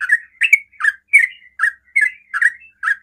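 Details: Sooty-headed bulbul (trucukan) singing a fast 'ropel' song meant to provoke other bulbuls to answer; short bubbly notes near mid pitch repeated about every 0.4 seconds, clean and without background noise.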